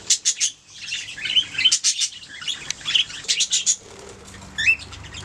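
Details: Pet budgerigars singing and chirping: bursts of bright, high, scratchy warbles and short squeaky chirps in quick clusters, pausing briefly near the end before one last chirp, with a faint low hum underneath.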